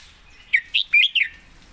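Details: Red-whiskered bulbul singing one short phrase of four rich, slurred whistled notes, rising then falling, lasting under a second, against quiet background hiss.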